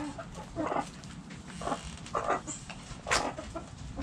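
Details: Backyard hens give louder, drawn-out squawking clucks in bursts about every half second to a second, over low background hum.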